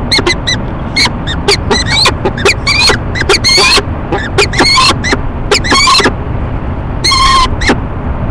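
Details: Peregrine falcons, a male and female pair in courtship at a city nest box in Rochester, NY, one spring morning in 2011, trading rapid, loud, grating ee-chup calls, some drawn out and ringing, almost continuous over low urban noise.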